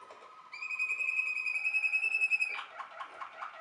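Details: Waterslager canary (Malinois canary) song: a low warble leading into a sustained pure whistled note held for two seconds, then breaking into quick rolling, water-like gurgling notes.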